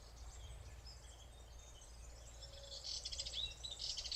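Barn swallow twittering in quick high chatter, building into denser buzzy bursts near the end, over a steady low rumble.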